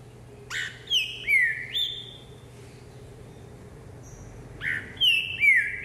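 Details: Caged green-winged saltator hopping on a jumping perch during vigor training on Christmas Eve, 24 December 2020, singing loud clear whistled phrases, each a bright note slurring down, in two bursts separated by a pause, with a steady low hum behind.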